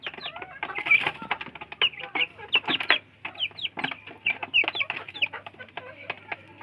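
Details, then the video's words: Several ayam kampung chicks fight over food, uttering bright descending cheeps in irregular bursts, while hard pecking taps rattle underneath and a low steady hum runs in the background. "Anak Ayam Kampung Berebut Makan, LUCU Suara Ayam"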